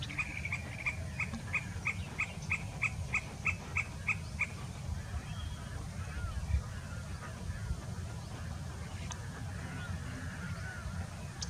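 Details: Sirkeer malkoha at Avalahalli, Bengaluru, November 2022: a series of about eleven short, sharp clicking notes, evenly spaced about twice a second, over heavy low rumbling background noise.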